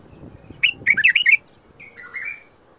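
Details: Bulbul song in the Mandali and Badra styles. A quick series of five or six loud, liquid whistled notes is followed by a softer, drawn-out slurred whistle.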